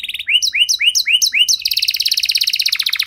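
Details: Canary song meant to coax quiet canaries back into singing: a series of rising curved whistles repeated about three times a second, then breaking into a rapid, even rattle-like trill.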